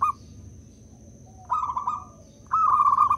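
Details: A loud local zebra dove, used as a lure or masteran to get silent doves calling. It starts with a brief clipped note, then two trilled, quavering coo phrases of about half a second each, over a low droning background.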